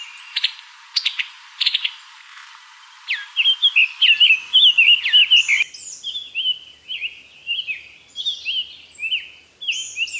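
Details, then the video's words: Brazilian tanager singing a lively run of sweet, slurred whistled notes that rise and fall, about two per second, after a few sharp clicks, then continuing with evenly spaced downward-curving chirps. "PÁSSARO SANHAÇO VERMELHO"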